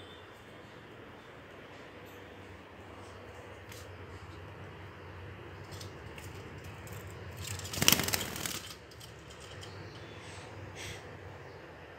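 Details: Low indoor background hiss fills the clip, with scattered soft clicks. A short burst of rustling or handling noise comes near the end, and no distinct bird call or other animal sound stands out.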